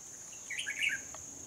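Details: Red-whiskered bulbul decoy at a bird trap in Hòa Bình, Vietnam, 14 November 2020. One rapid, liquid, tumbling phrase of about half a second sits above a steady, high-pitched insect hum.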